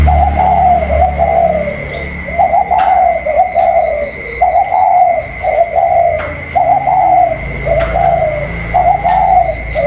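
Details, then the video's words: A caged spotted dove and about ten free outdoor doves that roost in a nearby pomelo tree trade low, soft, mellow coos in short repeated phrases on 27 October 2022, over a thin high whine. "chim cu còi trong đấu với thổ ngoài"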